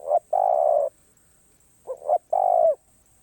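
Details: Low cooing song from a spotted dove in the karom pa roi style, a long held coo followed by a phrase of two short notes and another drawn-out coo; a weak constant high tone in the background.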